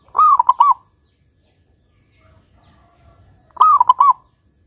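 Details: Local zebra dove singing in the big "kung" style used as a lure recording. Two cooing phrases about three and a half seconds apart, each a drawn-out slurred note followed by three short soft coos, with faint murmur between them.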